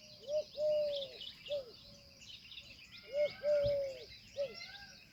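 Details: Indian peafowl repeating a two-part phrase twice, a short sharp note leading into a long sustained tone, then a lone short note, with dense chirps of other birds and a single thud.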